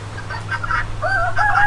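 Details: A rooster's brief call: two drawn-out, slightly wavering tonal notes at the end of a short, rough opening, over a constant low hum.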